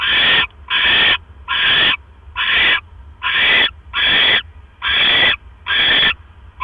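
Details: Night at a barn owl nest, 12 October 2015, as the male brings another mouse: evenly spaced harsh, hissing screeches, each about half a second long, repeated roughly every 0.8 seconds.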